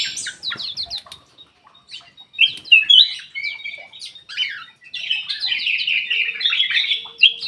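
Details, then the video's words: Ruby-throated bulbul lure song from an aviary, for birds that will not sing. Scratchy chips and quick twitters build into a continuous, dense warbling chatter with varied slurred notes. "PANCINGAN KUTILANG EMAS MALAS BUNYI"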